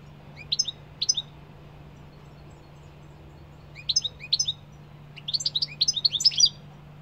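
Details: Scattered goldfinch phrases: paired short twittering bursts early and midway, separated by silence, then a longer rapid jingling burst near the end; a low constant hum runs throughout.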